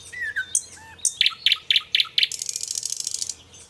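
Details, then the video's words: Nightingale song opening with soft falling whistles, then five loud, evenly spaced chipping notes and a long, fast, dry rattle. "Song of Nightingale _ the best song of Nightingale"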